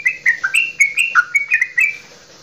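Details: Loud goklikan song by a straw-headed bulbul of Java, used to spur other birds into song: a brisk two-second burst of liquid whistled notes leaping between higher and lower pitches, ending in quiet hiss.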